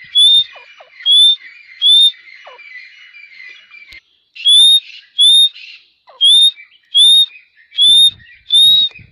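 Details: Grey partridge, known locally as Dakhni teetar, calling loudly: ten sharp, rising whistled notes, about one every 0.7 seconds, with a short pause after the third. Faint chirps and twitters of other birds are heard between the notes.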